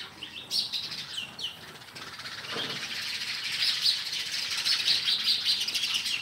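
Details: Sparrows chirping in a continuous chatter of short, high, bright notes, several birds overlapping, with a denser run of rapid chirps in the second half.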